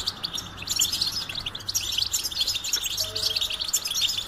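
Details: Sustained goldfinch twittering, bright rapid chirps and buzzy flourishes running continuously, accompanied by a faint low background hum.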